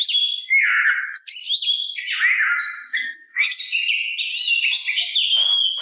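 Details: Oriental magpie-robin song used to goad rival birds into answering and to rouse their fighting spirit: a continuous, rich medley of sweet whistles, slurred notes and chattering trills, rapid and varied, with no other sounds.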